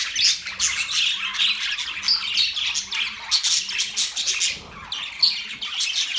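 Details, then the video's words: Budgie chirping in lively bursts, scratchy warbles and squeaky notes repeating rapidly, easing briefly near four and a half seconds before resuming. "Budgie chirping sound"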